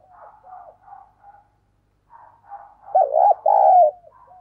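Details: Decoy spotted dove calling to attract wild doves, thúc and gáy cooing. Soft, broken cooing from other doves comes first, then a loud wavering coo followed by a longer steady drawn-out note.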